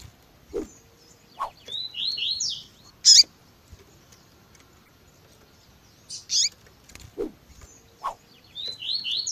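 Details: Double-collared seedeater female-call recording with 'tui tui zel zel' song, edited to heat up kept seedeaters: groups of high descending slurred notes, piercing short chirps, and a few faint lower notes between.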